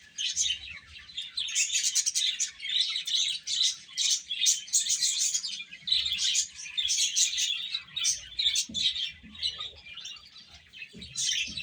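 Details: Many baby chicks chirping as they eat, bright piercing peeps in dense waves that thin out toward the end, with a few soft knocks.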